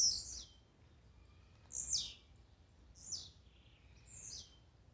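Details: Blue-black grassquit songs meant to get a kept bird singing: four short, high, buzzy downslurred notes about a second apart, one trailing into a lower flat buzz.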